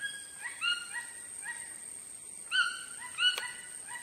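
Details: Chachalacas give quick runs of short, grating, harmonic notes in two clear bursts, one early and one late, with overlapping voices and a constant thin high whine behind them.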